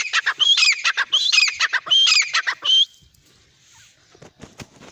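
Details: Francolin (teetar) giving loud, harsh, grating calls in rapid repeated bursts for about three seconds, then near silence with a few faint clicks and rustles.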